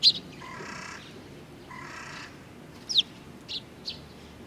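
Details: Young Eurasian tree sparrows, described as little ones, recorded on 19 June 2019: short, sharp high chirps at the start and a few more near the end, with a soft, steady humming tone in between.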